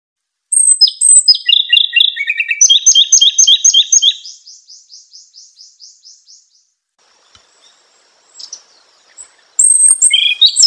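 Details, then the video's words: A robin kept as a songbird for Indonesian singing contests and imported from China sings loud, bright phrases: high whistles and fast repeated chirps that fade into a softer buzzy series, then a brief burst of song returns. "Robin Bird Asia Song"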